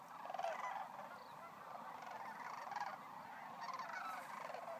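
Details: Many sandhill cranes calling together at Monte Vista National Wildlife Refuge, a constant mass of rolling, trumpeting rattles from countless birds, a louder surge early on, with a faint low rumble beneath.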